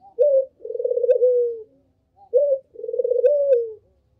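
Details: Two rounds of a Barbary dove's lure call, used to attract other doves: a short hooting note leading into a long, rattling coo that descends at the finish.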